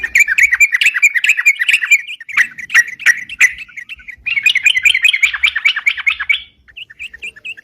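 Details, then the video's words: Gacor sooty-headed bulbul song meant as a bird-catching lure: fast irregular bursts of bright chirps, briefly slowing to spaced notes, then a second rapid run fading out near the end. "suara crucukan gacor bisa buat pikat"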